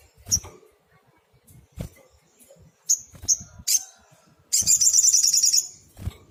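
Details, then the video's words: Singing sunbird as tutor material for small birds: scattered high, sharp chips and short downslurred notes, ending in a dense, rapid, shrill trill of about a second. "Tembakan SOGOK ONTONG GACOR bagus untuk masteran"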